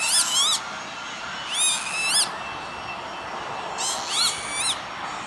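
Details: Lapwing (Vanellus vanellus) at an industrial estate by Veenendaal, Netherlands, 28 May 2013: repeated nasal, bending wheezes, a close call first, then a quieter pair and a final cluster of overlapping calls.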